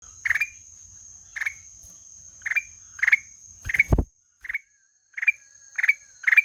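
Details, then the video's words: Black-headed bulbul giving short, harsh, chattering notes that rise at the end, repeated about once a second with a gap, over a steady high-pitched electronic tone and a brief low thump. "SUARA MERDU KUTILANG EMAS"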